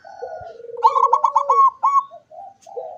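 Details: Zebra dove song, open-beaked, from 24 September 2023: a low, rolling, wavering coo runs underneath while a louder, higher burst of quick staccato coo notes breaks in at the middle and then stops.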